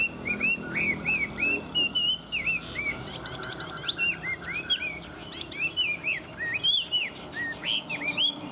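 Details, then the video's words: Chinese hwamei, a tame bird in good voice, pours out looping whistled phrases with buzzy high flourishes between them, the notes rising and falling in a long unbroken sequence. "Họa mi thuần hót tốt"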